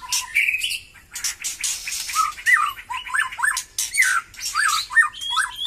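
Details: A white-rumped shama of Batu Kurau stock, newly lively after moulting, opens with a high whistle and harsh chatter, then repeats short hooked whistled notes about twice a second.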